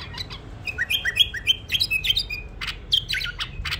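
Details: Whistled song from a tame bulbul, a rapid run of short sliding notes repeated several times per second, followed by sharp clicks and a few higher notes.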